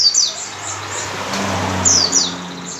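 A white-eye gives thin, very high-pitched notes, a few quick falling slurs at the start and again near the end, over a low engine hum.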